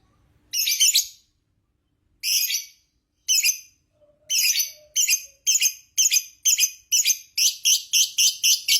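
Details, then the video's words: Lovebird whose song is said to stir other lovebirds into calling: harsh, scratchy high chirps, at first spaced over a second apart, then coming faster and more regularly toward the end. "Suara Burung Lovebird Ngekek Panjang JAGO Bikin Lovebird Lain Tidak Berhenti Bunyi"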